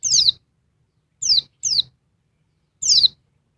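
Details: Noisy female oriental white-eye (Dakun Bali type) agitating a male: four high, falling notes, one alone, then a quick pair, then a final double-stroked note, set apart by silence.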